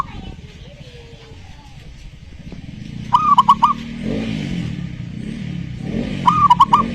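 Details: Zebra dove song, meant to draw a silent dove into singing: two stuttering cooing phrases about three seconds apart, each a rising note then quick clipped notes, over the rumble of a passing motor vehicle.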